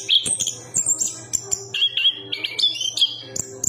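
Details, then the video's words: Chestnut-capped thrush (Geokichla interpres), a Southeast Asian forest songbird, sings a rapid, varied run of high whistles and warbled notes that jump abruptly between pitches, over a faint low hum. "Burung Anis kembang berkicau"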